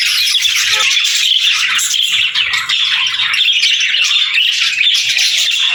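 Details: Pet budgerigars in a flock keep up a constant high chattering of rapid chirps and short squawks, the overlapping voices forming an unbroken bright twitter.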